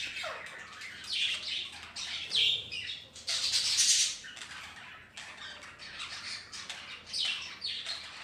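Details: Budgies in a household colony mixed with ring-necked parakeets; a busy stream of high, scratchy chirps and sweeping squeaky notes from many birds, louder bursts every second or two.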